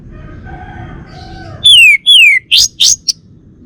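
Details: A male Bali orange-headed thrush, caged songbird, gives two loud clear whistles sliding steeply downward, then three rough buzzy high notes and a brief final chip, after soft faint tones.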